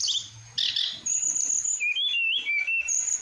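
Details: Flowerpecker (tledekan), singing vigorously in a tutor recording for training songbirds. High, thin chirps and sharp whistled notes near the top of its range, then short falling and wavering whistles that step downward.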